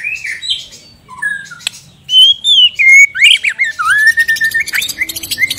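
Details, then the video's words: ['White-rumped shama, Borneo form, singing its ornate repertoire. Soft scattered whistles and one sharp click open the passage. Then loud looping whistled phrases swoop up and down, followed by a busy, buzzy chatter of quick notes.'] "MURAI BATU BORNEO/MURAI GEMBUNG GACOR ISIAN MEWAH"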